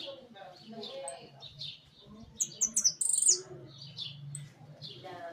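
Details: Hooded siskin singing in a large cage: a quick run of bright, high, clipped whistled notes around the middle, over a steady background of softer chattering and twittering from other caged birds.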